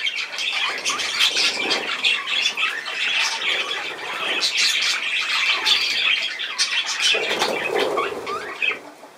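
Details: Budgerigars in a home setting, filmed on 10 June 2024, giving a dense, continuous chattering warble of scratchy squawks and quick trills that rise and fall in loudness.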